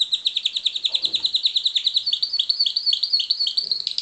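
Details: Captive-bred pied Timbrado canary singing a fast, steady trill of repeated rising-falling notes, about six per second, high and bright, continuing without pause across the whole stretch; a faint low rustle near the start.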